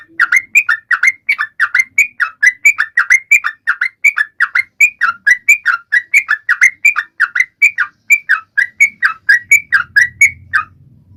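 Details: Sooty-headed bulbul in lively song, used to prompt other birds to sing and silent birds to start; a long run of rapid, rolling whistled double notes, with a low rumble near the end.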